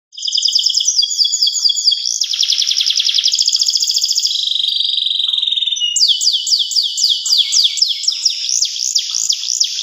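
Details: Local canary in full-length song: rapid trilled tours at high pitch, shifting every second or two between fast buzzy rolls, pulsed notes and, later, sweeping downward-slurred repeated whistles, loud and continuous throughout.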